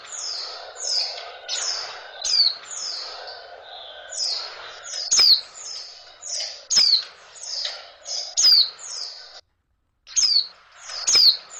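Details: A female oriental white-eye gives its mating call to stir males; thin, high, falling whistles follow one another in a quick series, with sharper downslurred notes standing out and a short silent gap near the end.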